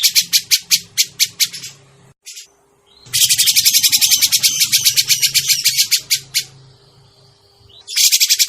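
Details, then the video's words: Lure call of a grey-cheeked bulbul used in bird trapping. Opens with a quick series of harsh notes, pauses briefly, then a long, loud, rapid chattering rattle, fading before a final burst, with a low hum throughout. "suara pikat burung cucak jenggot"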